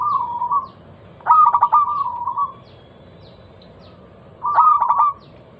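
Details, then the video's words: Repeated zebra dove song meant to lure other local perkutut into singing: a trailing coo, then two phrases of fast staccato cooing pulses each ending in a sustained note, spaced about three seconds apart. "Masteran pancingan burung perkutut lokal suara Lantang kristal"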